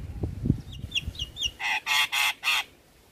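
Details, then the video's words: Javan myna (jalak kebo) in a training-song compilation for caged birds: soft, low knocking sounds and small chirps, then three loud, buzzy, nasal squawks in quick succession. "Jalak Kebo Gacor"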